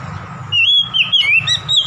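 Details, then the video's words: Oriental magpie-robin song meant to provoke a rival: clear sliding whistles and warbled notes, loud and varied, over a steady low background hum. "PANCINGAN CEPAT MEMBAKAR EMOSI lawan"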